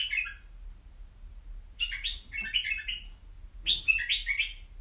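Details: Caged white-eared bulbul giving three short bursts of rich, liquid warbling, each a quick run of up-and-down notes, separated by quiet pauses.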